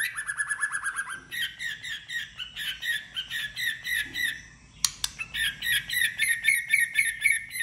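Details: White-rumped shama singing competitively, with fast repeated chattering notes at first, then rapid trilled phrases of short notes and a sharp click midway.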